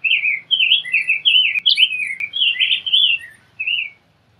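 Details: Rose-breasted grosbeak song as a long, bubbling series of rich whistled notes that rise and fall, with a final separate note, plus two faint clicks in the background.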